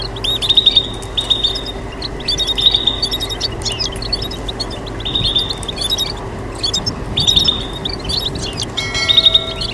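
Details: Goldfinch mule (goldfinch × canary hybrid) gives bursts of high, tinkling twitters and chirps over a steady low hum.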